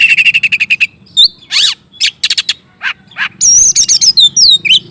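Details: Oriental magpie-robin singing energetically to rouse rival magpie-robins: a fast series of repeated chirps, harsh buzzy downward sweeps, then high rising and falling whistled notes in quick succession over a faint low hum.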